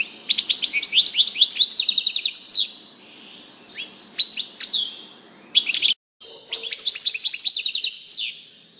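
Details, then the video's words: European goldfinch giving a long, rambling song of rapid high twittering, with tinkling trills and short buzzy slurs. There is a brief break midway, then the song resumes, over a faint constant background hum. "chardonneret song"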